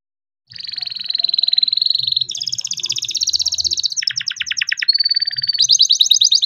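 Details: Young captive-bred canary singing a rolling song used to prompt lazy canaries to sing: long rapid trills of high buzzy notes, shifting pitch between sections, with faint low background noise.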